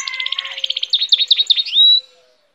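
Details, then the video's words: Goldfinch hybrid song: a quick run of bright, twittering notes turning into fluid, slurred phrases and ending on a sustained high whistle. "cante de hibrid de sticlet - Mixto de Jilguero - الهجين الحسون"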